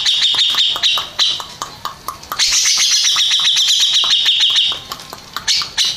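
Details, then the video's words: Grey-cheeked bulbul, a contest champion, alternating spaced harsh notes with a sustained dense buzzy high trill, then returning to separate chattering notes. "Kicau Burung Cucak Jenggot Juara 1"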